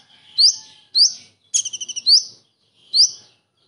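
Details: Kingfisher imitation from a Common iora, made as a training master: sharp rising whistled notes about every half second, with one burst of six quick stuttered pulses leading into another upslur.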